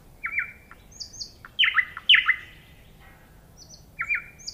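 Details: Varied nightingale phrases: paired sliding whistles, loud emphatic downward-swept notes, pauses, then high thin double notes and another sliding pair; background otherwise quiet.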